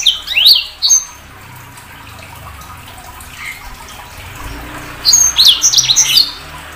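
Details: Sanger bird giving a few short rising chirps, then a long quiet gap before a second quick burst of high twittering notes.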